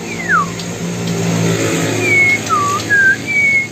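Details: Original Sumatran murai batu, Bengkulu, Indonesia: one falling whistled slur, then three level and dipping whistles in quick succession. Engine rumble from a passing vehicle is heard beneath.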